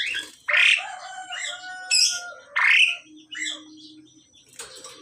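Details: Loud, grating squawks from a male and female Pied Myna during pairing alternate with sustained whistled tones and a faint low hum.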